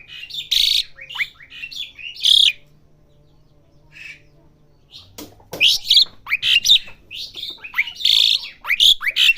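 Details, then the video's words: Asian pied starling youngster learning its song: bursts of harsh chatter and whistled upslurs, a pause of a couple of seconds, then a busier run of squawky and whistled notes. "jalak suren belajar bunyi"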